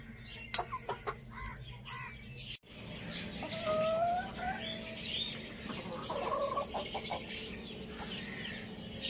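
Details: A rooster and hen feeding on spinach in a village farmyard. Sharp tapping and clicking noises come first, then soft clucks and a few short, rising tonal notes over steady background hum.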